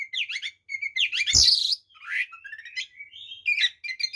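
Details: White-rumped shama singing a full fighting song to provoke other shamas: rapid chattering, whistled note clusters, a harsh loud burst and varied slurred whistles in near-continuous flow.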